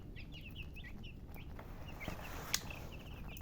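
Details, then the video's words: Baby chickens chirping: high, short, downward-slurred cheeps repeated rapidly and overlapping from several chicks, over a low steady background hum. "Baby "Chicks Chirping" Sound"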